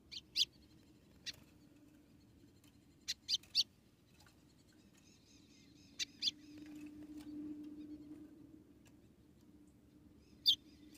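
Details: ['Female white-throated seedeater from Rio Grande do Norte, Brazil, calling to stimulate the male: bursts of short, high chips, often doubled or tripled, separated by pauses, over a low steady hum.']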